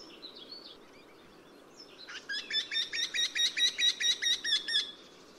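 Eurasian wryneck giving a fast run of about a dozen nasal, ringing 'quee' notes, evenly spaced; faint chirps of other small birds come first.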